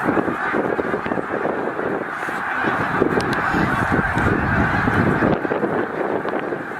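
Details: Snow geese gathered in the tens of thousands at Middle Creek Wildlife Refuge during northward migration: dense, continuous honking, loud and even, with countless voices blending into one roar.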